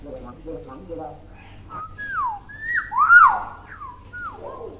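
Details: Tame hill myna kept as a pet that imitates many words starts with soft low speech-like murmurs, then gives a string of clear falling and looping whistles.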